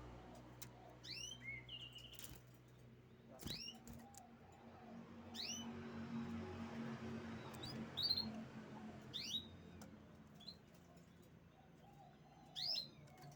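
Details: Canary giving sharp, high chirps that sweep steeply downward, in irregular bursts of one to three notes about a dozen times over thirteen seconds, over a steady low hum with faint soft lower-pitched notes behind.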